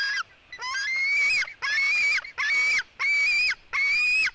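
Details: Female white-tailed eagle eaglet fighting with her brother, at 16:09. Five long wheezy squeals, close together, each climbing gently and then dropping sharply at the end. They are bright and harmonic, with short silences between them.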